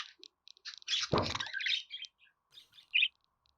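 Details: Budgerigar chirps and clicks partly masked by a loud low rumble, followed by a few sparse squeaky notes and one sharp chirp.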